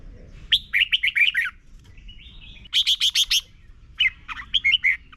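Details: Red-whiskered bulbul from Thailand, its song played to teach young birds: three fast bursts of five or six bright chirping notes, separated by short pauses and a soft warbled trill.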